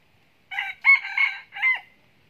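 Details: Crowing of a caged red junglefowl decoy cock from Binh Phuoc province, Vietnam, described as a frequent crower; three-section crow lasting about one and a half seconds, clipped first syllable, drawn-out strong middle, short upturned finish.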